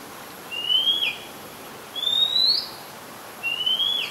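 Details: Oriental magpie-robin song, Ubon Ratchathani, Thailand, 2 July 2022, Nikon P1000: three clear rising whistles, each ending in a brief flick, spaced about one and a half seconds apart.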